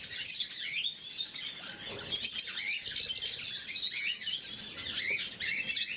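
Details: Several caged blue-mutation lovebirds during morning feeding, giving a dense stream of shrill, high chirps and twittering notes that overlap continuously without pause.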